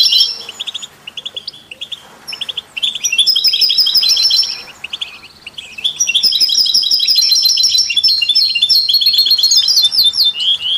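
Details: Goldfinch song heard with canaries and mules, meant as stimulation for other songbirds: short chirpy phrases, a loud twittering passage, a quieter gap, then a long continuous stream of rapid, tinkling trills.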